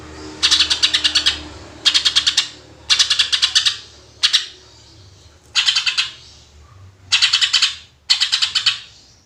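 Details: Greater green leafbird (cucak ijo) in full 'tembakan' singing, a clear natural voice used to lure other birds: seven bursts of rapid staccato, rattling notes, six to eight per burst, spaced about every second and a half.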